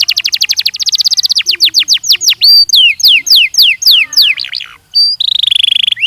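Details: Training song of a Belgian canary: long runs of fast repeated notes that give way to bright descending whistled slurs, a brief gap, then a dense buzzing trill.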